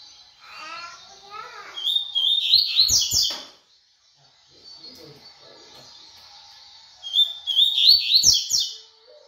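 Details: Fast tui tui song of a double-collared seedeater: two high, crisp bursts of chirping, slurred notes about five seconds apart, with softer lower warbling sounds in between.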